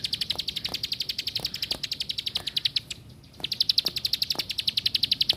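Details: Rapid, high, buzzy ticking from a plain prinia, about four notes per second, broken by a brief half-second pause before resuming just as fast.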